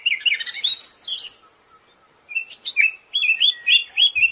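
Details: Siberian thrush in full song for cage-bird tutoring: a rapid tumble of high twittering notes, a short pause, then sharp chips leading into a quick series of rising and falling whistled notes.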